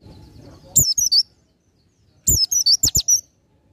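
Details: Oriental white-eye 'ngalas nembak' song for tutoring songbirds: two short, shrill phrases of rapid high twittering whistles about one and a half seconds apart, each with low knocking clicks underneath.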